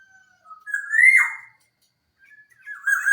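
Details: Local black-naped oriole from Java, clear song used to lure other birds into singing; a soft whistle rises into a loud fluted note that drops away raspily, with a brief harsher phrase after a pause.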